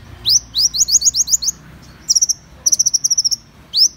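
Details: Van Hasselt's sunbird: rising swept notes repeated quickly, then two separate fast, very high trills and a final upward sweep.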